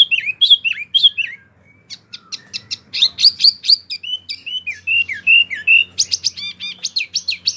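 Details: Energetic wambie mini song, a tutor voice for competition birds: high sliding whistles, a burst of sharp staccato chirps, then a string of descending slurred notes and quick twitters.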